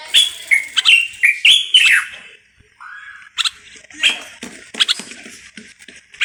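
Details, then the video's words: Moroccan common bulbul in full song: a fast string of fluty, rolling whistles in the first two seconds, followed by a lower note and scattered chattering calls. "استرخاء مع تغريد طائر البلبل المغربي صوت صفير البلابل"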